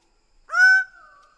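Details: One Greater bird-of-paradise call: a sharp, nasal, horn-like note that holds steady, then fades into a lower, drawn-out tail.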